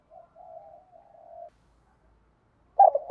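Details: Spotted dove, a kept decoy bird with a 'giọng thổ pha đồng' voice style, used in training decoy and wild-caught birds: soft, level mid-pitched coos for over a second, a pause, then a sudden loud coo at the end.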